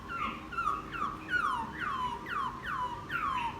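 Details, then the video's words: Newly caught laughingthrush, ten days in captivity and singing more easily after bathing: a series of loud descending slurred whistles, about seven in a row, each sweeping downward. "Khướu bổi hót gió ( chuyện kích bổi hót cực sung"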